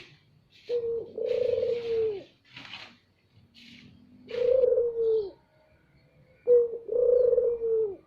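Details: Loud Barbary dove calls used as a lure, three long, low, rolling coos, each about a second long, separated by pauses, with faint rustling and brief hissy noises between them.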